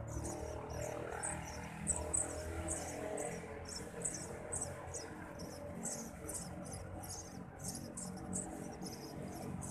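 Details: Eurasian tree sparrow chicks in a dark, awkwardly placed nest beg as a parent feeds them, giving rapid, very high, hissy chirps in bursts about twice a second over a steady low background rumble.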